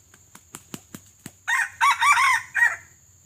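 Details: Red junglefowl, a white-legged bird, in lure-training (pikat) practice: a brief, hoarse crow of four quick, clipped syllables ending abruptly, after a run of sharp clicks or taps.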